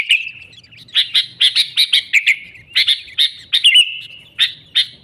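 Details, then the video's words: Sooty-headed bulbul singing, used to lure wild bulbuls into traps: lively series of sharp, bubbly chirps repeated in irregular bursts, bright and clear over quiet background. "Suara Burung Kutilang Gacor ASLI Tanpa isian, Ampuh untuk Pikat Kutilang"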